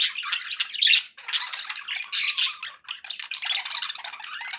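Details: Budgerigar chatter: rapid, rasping warbles and harsh squawks run almost without a break, in bursts that swell and fade every second or so.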